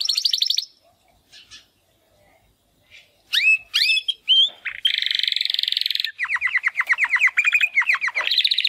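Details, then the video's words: Timbrado canary, a young male born in 2020, attempting song after its first molt: a few fast chips, a pause, then scattered notes, a long dense buzzing roll and a rapid run of repeated downslurred whistles. "Two Canaries Brothers - Canary training song"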